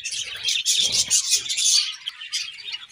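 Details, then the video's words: Morning chirping from budgies, a dense, high warbling chatter of overlapping squeaks and twitters, loudest in the first half before thinning into sparser chirps, with some low knocking sounds. "𝑩𝒆𝒂𝒖𝒕𝒊𝒇𝒖𝒍 𝑩𝒖𝒅𝒈𝒊𝒆𝒔 𝑴𝒐𝒓𝒏𝒊𝒏𝒈 𝑪𝒉𝒊𝒓𝒑𝒊𝒏𝒈 | 𝑷𝒂𝒓𝒓𝒐𝒕𝒔 𝑺𝒊𝒏𝒈𝒊𝒏𝒈"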